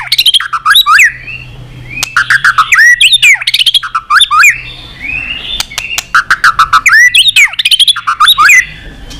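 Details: A white-rumped shama in competitive song, tail flicking: bursts of rapid, twisting whistled phrases mixed with crisp clicks, roughly every two seconds, with a low steady hum underneath.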